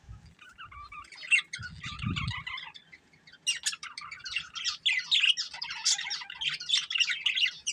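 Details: Budgerigars, a breeding pair, warbling in soft chirps at first, then louder, denser squeaky chatter from about three seconds, with a low thud near two seconds.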